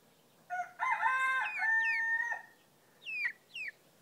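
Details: Crowing male Pekin bantam with frizzled blue-and-white mottled plumage: a two-second crow opening with rough bursts, then a steady tone, followed by two quick rising-then-falling squeaky notes.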